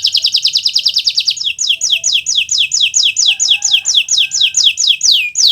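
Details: Canary (Kenari Nusantara) tutor song for teaching birds: a fast high trill giving way to a steady series of loud downslurred whistles, roughly three each second.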